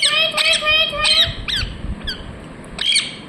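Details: Ringneck parrot chirping: a long wavering nasal squawk opens, followed by several shorter harsh chirps tapering off, with one more squawk near the end.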